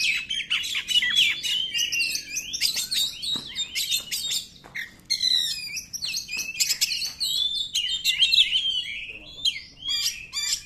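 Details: Continuous varied Oriental magpie-robin song meant to make other magpie-robins sing: dense rich whistles, trills and buzzy notes tumbling together with hardly a pause.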